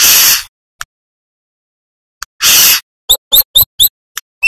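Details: A master recording of a Brown-throated sunbird, manggar type, singing actively for training other birds. Two long harsh hissing bursts are followed by a rapid run of five sharp, high chirps and two isolated ticks.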